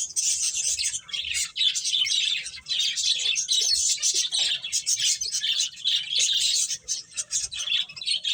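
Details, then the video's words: Finches playing, giving dense, continuous high chirping and twittering from several birds, with brief dips in the chatter around two and a half and seven seconds. "Beautiful Birds Chirping Sounds | Cute Finches Playing"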